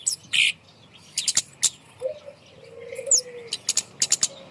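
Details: Kemade bird hung up high as a lure to prompt silent birds to sing: sharp, very high chirps and short bursts in scattered clusters, with a lower steady whistled tone running underneath midway.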